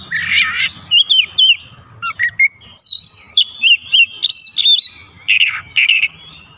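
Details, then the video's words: Singing Oriental magpie-robin (kacer) with isian fill-ins and other kacer joining: a harsh buzzy opening, then a long chain of crisp varied whistles and chips ending in scratchy notes. "KACER LAIN LANGSUNG IKUT BOCOR ISIAN SUARA"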